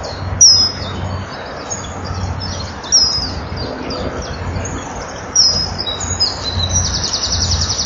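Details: Common kingfisher at a breeding-wall nest camera, 09:05 on 19 April 2012: after the female enters the nest tunnel, the male keeps calling with shrill, high, thin whistled calls, each dropping sharply in pitch.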